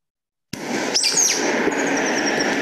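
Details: A Sulphur-bellied Flycatcher, a late-summer bird of SE Arizona sycamores often heard before seen, gives a shrill, squeaky call like a dog's squeeze toy, one sharp note then fainter high squeaks, over a steady hiss.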